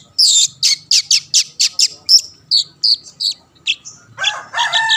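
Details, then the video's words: Long-tailed shrike (cendet), a bird meant to stir rivals to sing: a quick series of harsh scratchy bursts followed by thinner whistled notes, ending in a louder jumbled chattering phrase. "burung cendet gacor pendongkrak emosi lawan‼️ pancingan / masteran handal"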